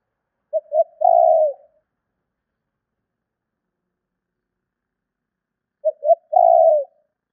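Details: Spotted dove luring call: two phrases about five seconds apart, each with two short quick coos and a long level coo ending lower, in otherwise silent surroundings.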